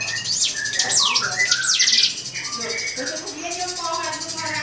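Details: Drongo singing to provoke a rival: rapid series of high, steeply rising and falling whistled sweeps, then lower, wavering whistled notes and short slurred phrases over a steady hiss.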